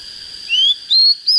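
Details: Three pure rising whistles, each held briefly and separated by short gaps, from a young untrained Oriental magpie-robin just coming into fighting form; a faint constant high tone runs throughout.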